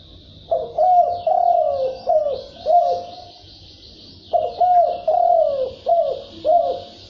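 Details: Field spotted dove cooing in thúc bổi and gù fashion: two matching phrases of five deep, falling coo notes, set against a faint high background chatter.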